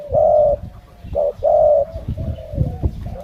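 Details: Malay-line spotted dove giving two loud, drawn-out coos with a short note between them, followed by softer trailing notes amid low thumping and handling noise.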